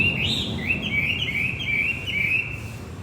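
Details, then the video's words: Javan white-eye song used as a lure to restart a male that has stopped singing: a string of high, thin, warbling whistled phrases repeated quickly and close together, over a low background hum. "Pancingan kicau wambi macet"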